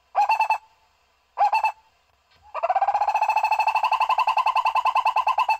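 A barbet gives two short hollow notes, then a fast, even run of repeated throaty notes at a steady mid pitch, about eight to ten per second.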